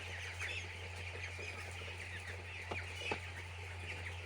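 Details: Crowd of young chicks in a poultry farm shed, their short high-pitched peeps overlapping without pause, a couple of knocks near the end, and a low constant hum in the background.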